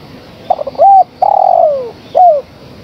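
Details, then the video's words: Female spotted dove calling the male. A few quick stuttering notes lead into a short coo, then a long mellow coo that droops in pitch, and a final brief downslurred coo. "Suara Tekukur Betina Gacor Memanggil Sang Jantan"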